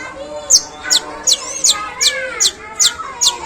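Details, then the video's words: Long-tailed shrike imitating sparrow calls, long and coarse: sharp, high, down-slurred chips spaced about every half second, with a faint low hum and soft whistles behind. "Suara pentet tembakan gerejaan panjang dan kasar"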